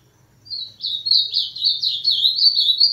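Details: Ultramarine grosbeak singing in the 'máquina' song style: after a brief silence, a fast, continuous warble of high, sweet, slurred whistled notes rises and falls in quick runs without pause, with a faint low hum beneath.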